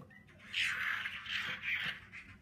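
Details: Wild-caught Hwamei, an old forest bird with one season of captive plumage, a fighting-type bird singing with fanned display: rich, varied warbled phrases rising and falling, loud bursts around the middle and near the end.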